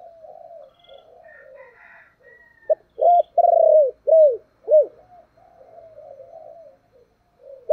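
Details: Spotted dove in thổ voice style giving urging and calling coos. Soft murmuring coos lead into one loud phrase: a clipped note, then a sustained coo and two arched, dropping notes, before quiet murmurs return.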